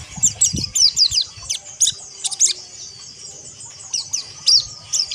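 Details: White-eye known locally as pleci, kept as a songbird, pouring out fast high twittering chirps and short downslurred notes in bursts over a constant high hiss, with a brief low thud early on.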